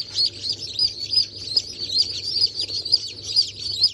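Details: Day-old chicken chicks of Brahma, Sultan, Sussex and Wyandotte breeds (28 January 2024 hatch): clear, sharp cheeps pulse roughly twice a second above a softer peeping crowd and a faint steady hum.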